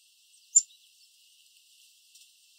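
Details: Black-capped chickadee hiding in a bush in Southern Ontario, Canada, giving a very quiet call: a single soft, very high, thin chip, then a fainter one about a second and a half later, over a faint steady hiss.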